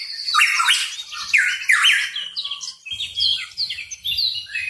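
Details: Hooded pitohui, called cucak rawa papua locally, in lively voice: a few loud, harsh swooping notes followed by a faster run of thinner, higher whistled chirps, with faint low rumbling in the background.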